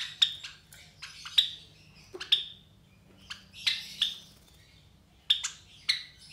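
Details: Three captive White Java sparrow chicks about 23 days old, hatched from four eggs, give short, sharp, high chirps in scattered bursts, some doubled, with quiet pauses between and a faint low hum behind.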